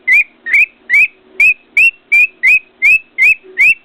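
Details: A pet cockatiel sitting on its cage and whistling contentedly near a mirror, giving ten short upward-sweeping whistles at an even pace of nearly three per second.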